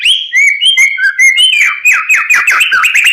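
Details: Vigorous, persistent song of a white-rumped shama, used as a master recording to provoke quiet males into singing: a continuous stream of loud, clear whistles, slurred phrases and rapid chattering trills with no pauses.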